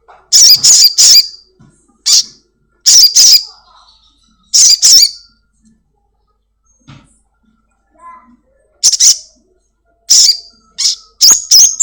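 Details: Caged Black-winged Myna kept at home, heard on a lure recording meant to make another caged bird sing quickly. Loud, harsh, high bursts come in pairs and short clusters, separated by silent gaps, with a few faint clicks.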